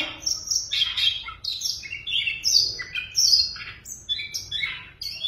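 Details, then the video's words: A tame caged Siberian rubythroat sings a rich, varied warble of high whistles and scratchy trills, phrases tumbling quickly one after another with short gaps. "Oanh cổ đỏ thuần lồng cực hay"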